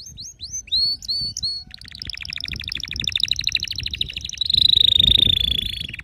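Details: Canary singing: a few rising whistled phrases open into a long rapid trill of repeated notes, then a piercing sustained buzzy tone that slowly falls, with light background noise.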